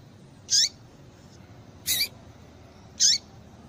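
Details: Three clear, high, down-slurred chirps roughly a second apart from a female double-collared seedeater calling to rouse a male, with low steady hiss behind.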